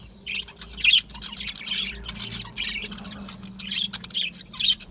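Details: Aviary budgerigars, small colourful Australian parrots, calling in short squawky bursts of scratchy chatter roughly every half second, over a low steady hum.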